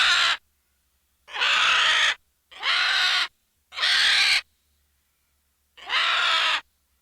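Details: Series of five rough, grating vulture squawks, each under a second long and separated by irregular silent gaps, all harsh and noisy in tone.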